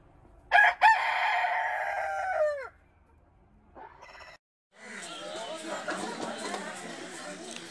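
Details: Rooster crowing, from a compilation of roosters of different breeds: one loud harmonic crow with a stuttering start, a long held middle and a falling end, followed by a short faint sound and then steady rushing noise.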